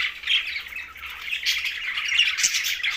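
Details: Green budgerigars chattering around a meal in Larkana, Sindh: dense overlapping chirps and warbled squeaks, steady and unbroken, with a sharper note near the end.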